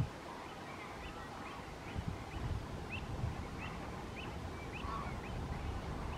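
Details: American flamingos (Phoenicopterus ruber) at a lagoon fish farm on 21 May 2022 give short, goose-like honks and nasal clucks, scattered roughly every half second, thin against steady low wind rumble.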